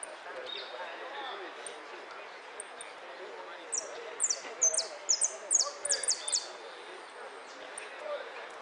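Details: Caged European goldfinch entered in a singing competition, the Copa Federacion, 3 March 2013, sounding a quick burst of bright, high, downward-sliding notes in a rapid run near the middle, with people talking throughout the room.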